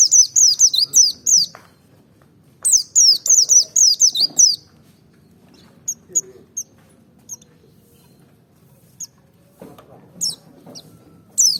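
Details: Merapi white-eye singing ngalas dobel: two quick runs of shrill, falling notes, then scattered faint high chips and soft low sounds; used to provoke other white-eyes to sing.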